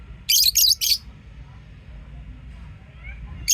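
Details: Lovebird chirping: three quick harsh, high-pitched chirps in a tight burst, then a long quiet pause before another chirp begins, with a faint low hum throughout.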